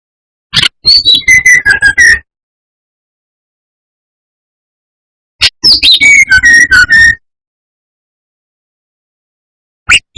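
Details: Brown-chested jungle flycatcher song used as a lure to provoke rival birds: two phrases that open with sharp clicks, then high notes slide down into a run of clear, slightly wavering whistles. Long silence separates the phrases.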